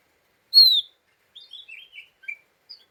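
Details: A clear descending whistle from a lesser green leafbird, then a quick jumble of twittering chips, part of an agitated 'ngeriwik' call used to provoke other birds.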